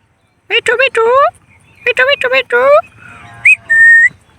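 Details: A male parrot rattles off two bursts of rapid speech-like syllables, each ending in a drawn-out falling note, then finishes with a short rising whistle and a steady held whistle.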